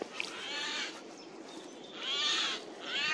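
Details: Eurasian jay calling loudly in a forest on 15 April 2024: three harsh, rasping screeches, each under a second long, the second and third louder and close together, over quiet woodland background.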